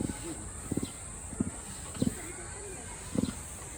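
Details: Captive emu at a Japanese zoo giving low, resonant grunts likened to burps, short doubled thumps spaced roughly every half second to second, with a constant high hiss in the background.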